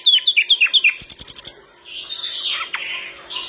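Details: Flycatcher singing vigorously, prompting other birds to respond: a fast run of high, sweet chirps, then a burst of dry clicking and a softer, rambling warble.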